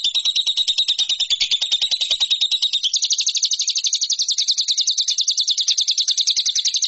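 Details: Lovebird song recorded as training material for contest birds, a continuous rapid trill that jumps to a higher, harsher pitch partway through and keeps rattling steadily.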